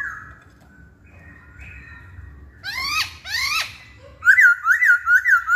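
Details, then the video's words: Hwamei song: a quiet thin whistle, then two bursts of loud stacked rising notes, ending in a run of four looping whistled phrases repeated about every half second. "Kicauan Poksay Hongkong"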